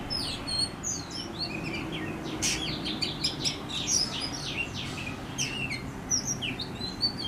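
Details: Backyard Oriental magpie-robin in Howrah, West Bengal, India, pouring out a varied song of sharp whistles, upslurred notes and clipped chirps in fast succession, with a constant low rumble of ambient noise beneath.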